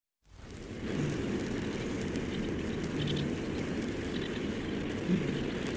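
Steady broadband rushing noise like rain or wind with a low rumble underneath throughout, and no clear animal call.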